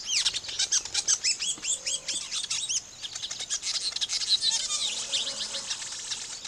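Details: Nest-building weaver birds: a quick run of high arched chirps in the first two seconds, then a scratchy, buzzy chatter of many birds with fluttering sounds continues.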